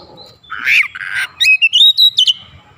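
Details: Oriental magpie-robin song used as a lure to make other birds sing quickly and show their repertoire: a burst of harsh, buzzy notes followed by a run of short, high whistled phrases stepping upward.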